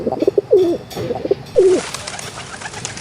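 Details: Two deep, rolling pigeon coos, each preceded by short throaty notes and ending in a downward slur, followed by a hiss of background noise.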